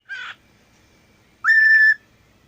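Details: Pet cockatiel that sings all day, imitating a phone messaging alert: a short harsh burst, then a clear steady whistled tone held about half a second.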